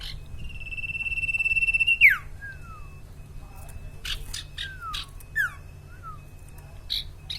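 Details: Common iora, known locally as sirtu or cipaw, in full song: a long rising trill that swells, then drops into a whistled downslur, followed by scattered clicks and brief falling whistles over a faint low hum.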